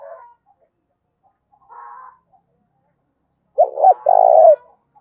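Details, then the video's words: Spotted dove giving its fight-provoking call in the giọng thổ pha style: soft murmurs, then one loud phrase of two clipped coos and a long, trilling, slightly falling coo. "cu gáy thúc đấu, tieng cu gay kich boi nhanh noi. cu gáy giọng thổ pha"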